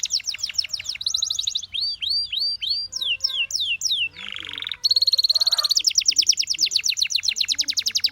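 A canary sings a fast, varied song of rapid trills, looping chirps, a buzzy rolling phrase and long high rattling tours, all bright and high-pitched.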